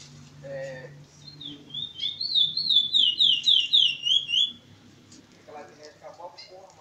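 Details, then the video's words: Continuous-style song of a curió from Maiobão, Paço do Lumiar, Maranhão, Brazil: a rapid, evenly pulsed series of high whistled slurs, rising and falling, after a few soft lower notes and background murmur. "curio de canto seguido"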